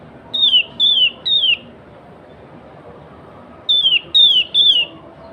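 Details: Energetic natural song of a sooty-headed bulbul, used to call rival and wild bulbuls and to tutor caged birds: two bursts of three clear, downward-slurred whistles, the bursts about three seconds apart, with a quiet background.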